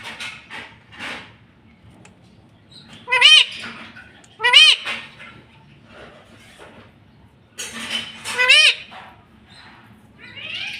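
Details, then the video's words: Household talking parrot: a person's voice murmurs throughout while the bird cuts in with four sharp, bright, falling notes, two near the middle and two toward the end, loud against the soft talk. "Mummy papa bolunga 👑 BOLNE WALA TOTA 😁 Talking parrot"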